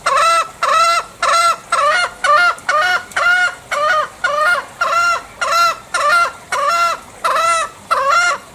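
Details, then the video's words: Bali green junglefowl delivering a steady run of loud, harsh, clipped notes, about thirteen in eight seconds, each a brief nasal bark with rich overtones, no other clear sounds. "Masteran Suara Ayam Hutan Hijau Bali (Sound Asli)"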